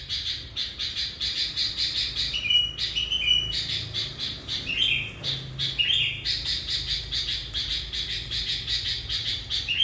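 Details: Gacor song of a sooty-headed bulbul decoy that has lured hundreds of wild bulbuls; steady rapid chatter interrupted by several short rising whistled phrases midway.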